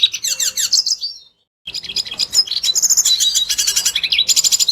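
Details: A red siskin sings its natural, full-voiced song, played as a lure to prompt other birds to sing: a rapid, high twittering of buzzy trills and chattering notes, broken by a brief pause, with no other sounds.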